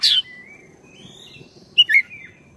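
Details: Oriental magpie-robin of the black-breasted type, recorded as a lure to set caged birds singing: a sharp descending whistle opens, faint thin notes follow, then two loud clipped whistled notes near the end against a low steady hum.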